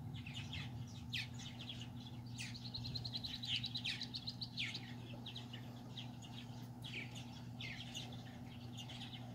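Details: Several purple martin parents, playful while feeding their babies on July 9, 2020, give a busy stream of rich gurgling chirps and creaky warbles, overlapping, over a steady low mechanical hum.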